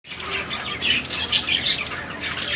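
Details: Captive Indian ringneck parakeet breeder pairs giving harsh, overlapping squawks and chattering calls in quick succession, with a steady low hum underneath.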